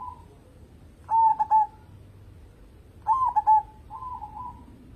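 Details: Local zebra dove singing as a lure for other birds, two bubbling phrases of rapid soft coos about two seconds apart, each tailing into a drawn-out low note, faint noise beneath.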